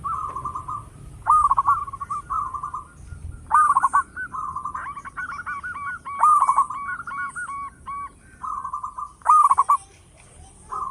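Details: Zebra dove, a local bird with a big voice, singing as a lure: buzzy trilled coos alternate with loud stuttering bursts, repeating about every two to three seconds, with a run of clipped notes midway.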